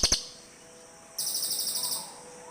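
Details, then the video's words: Cililin bird calls: a brief clipped pair of notes, then a high rolling trill of about a dozen evenly spaced buzzy pulses lasting under a second. "SUARA BURUNG CILILIN"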